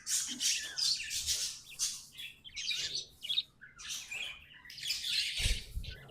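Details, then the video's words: Tamed pet budgerigars warbling: rapid, raspy chatter with squeaky notes in uneven bursts, and a low thump of handling noise near the end. "Budgies amazing love & singing 🎵 sounds"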